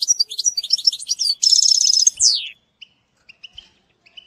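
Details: Training song of a European goldfinch: fast tinkling twitter, a dense buzzy trill, a downslurred whistle, then sparse soft chips after silence.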